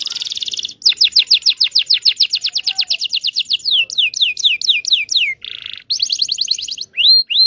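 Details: Canary long song for training young canaries. A buzzy trill opens, followed by a long series of fast descending notes that slow down, another buzz, and rising whistles at the close.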